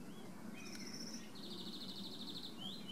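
Common starling giving thin high whistles, a dry buzzy rattle over about a second, then a quick rising whistle, over a steady low background rumble.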